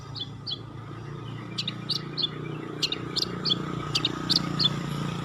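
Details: Long-tailed shrike's 'isian' song, used as tutoring for competition birds: a quick series of short high chirps, several per second, over a steady low hum.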